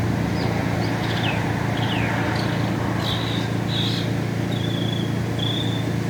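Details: Singing mockingbird in America mixing descending slurred whistles, brief chattery bursts and long flat whistled notes, each phrase type repeated, over a continuous low mechanical drone.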